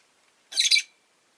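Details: Rosy-faced lovebird during a quiet afternoon, letting out a single loud, harsh, high-pitched squawking chirp of about a third of a second with a wavering double pulse.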